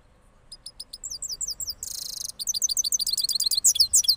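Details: Rolling song from a cross goldfinch of Parachinar after its moult: spaced high chips quickening into fast twitters, a brief harsh buzz, then rapid bright trilled notes.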